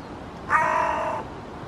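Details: Loud call from a hooded crow perched in a birch tree, Helsinki, Finland, in August 2022, directed at a fledgling: a single drawn-out, rasping, hoarse caw lasting under a second over a constant low background hiss.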